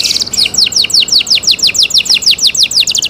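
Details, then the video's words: Canary singing in cenkok style, a rapid, steady series of high, clear, downward-sweeping whistled notes that runs unbroken through the whole stretch. "LUXURY CENKOK CANARI SOUND, CLEAR SOUND"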